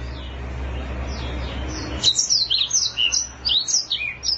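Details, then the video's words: Black-throated canary, a bird from Africa, breaks into a high, fast twittering song of short sliding notes after two seconds of low hum. "Suara Burung Blackthroat Gacor"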